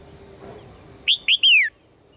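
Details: Female red-whiskered bulbul calls to attract a strong male, a crisp three-note phrase of two short chirps and a long slurred whistle sliding downward, after a quiet start with steady hum.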